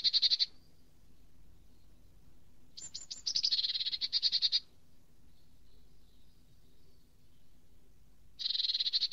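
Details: Eurasian nuthatch (Sitta europaea), a songbird of woods, parks and gardens: bursts of rapid, high, piping notes run into fast trills, one burst lasting nearly two seconds, separated by quiet gaps over a low background hum.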